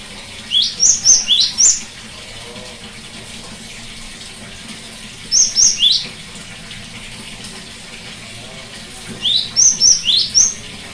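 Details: Cinereous tit song for encouraging a silent bird to sing: three separate bursts of quick high whistled notes, several rapid notes each, spaced by about four seconds of quiet hiss resembling running water.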